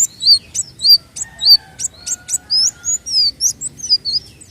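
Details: White-eye song as a lure: quick high chirps repeated about twice a second, mixing short sharp notes with longer wavering whistles, clear against a quiet background.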